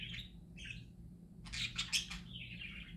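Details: Happy singing parakeets: two short warbled chirps, then a harsh burst of clicking, rasping notes, ending in a softer drawn-out warble, with a low hum behind.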